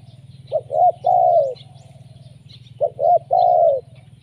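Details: Spotted dove lure call: twice a short clipped coo, a rising second coo and a long sustained falling coo, over a continuous low engine-like drone.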